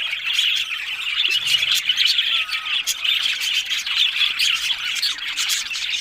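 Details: Many budgerigars chatter at once in a lively, unbroken twitter, mixing squawky notes, quick chirps and warbled phrases at a steady loud level.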